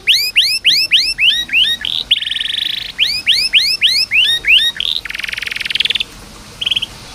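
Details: Canary song aimed at coaxing quiet canaries to sing: evenly spaced rising whistled notes, a buzzy trill, another string of upsweeps, then a broad harsh trill and a short final buzz.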